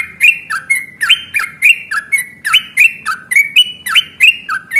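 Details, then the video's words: Yellow-vented bulbul in fighting song, used as a lure to make other bulbuls answer: loud, bright, warbling notes bouncing between higher and lower pitches in quick irregular bursts. "trucukan gacor tarung ROPEL PANJANG pancingan trucukan agar bunyi JADIKAN burung trucuk GACOR nyaut"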